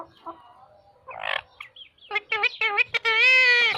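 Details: Talking parrot: quiet murmured sounds and a raspy burst, then a quick string of short, harmonic, speech-like syllables closing in a loud, sustained, rich tone.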